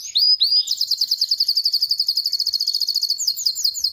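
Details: A canary from Pakistan singing: two upswept whistles open into a fast, steady trill of high bright notes lasting several seconds, ending in a few looping, slurred phrases.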